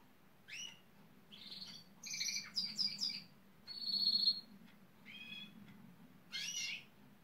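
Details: Gloster canary mimicking nearby construction machines, a pneumatic drill and digger, to woo workers; mixed high buzzy notes, rapid chattering trills and a sustained high whistled buzz, with pauses between phrases.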